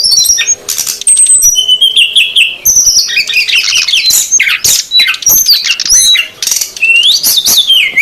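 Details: Female and male brown-chested jungle flycatchers calling loudly as a lure for wild birds: dense high chirps, a steady whistled note, sweeping slurs and harsh chatter, ending with a rising then falling whistle.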